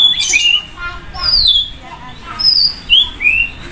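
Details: Loud, varied song of a White-rumped shama (murai batu) sunned beside a main road: a long descending whistle, spaced high notes and two crisp rising upslurs, with light road noise behind.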